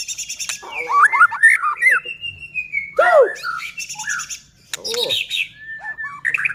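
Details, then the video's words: Energetic song of a White-rumped shama, used to rouse other shamas into singing: bursts of rattles, a long thin whistled note, loud downward-arching squeaks and quick varied phrases with short pauses. "Murai batu gacor AMPUH buat PANCINGAN murai batu agar bunyi JADIKAN burung murai EMOSI"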